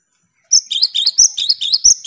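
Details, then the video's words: Cinereous tit singing loudly, to encourage silent tits to sing: a short fast series of bright two-part whistles, a higher note followed by a lower one, repeated about six times. "Gelatik batu gacor untuk merangsang gelatik macet agar rajin bunyi"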